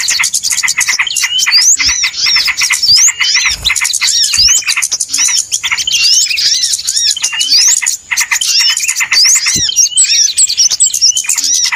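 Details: Crowd of small birds calling together as a trapping lure: a constant high tangle of chirps, sharp squeaks and looping whistles, with occasional soft low knocks underneath.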